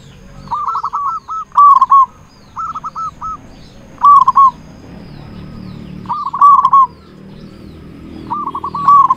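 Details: Local Indonesian zebra dove in full, loud-voiced song, used as a lure to attract and excite other zebra doves: short bursts of rapid, staccato cooing notes, mid-pitched, repeated every couple of seconds, with louder rolling phrases between, over a faint low background rumble.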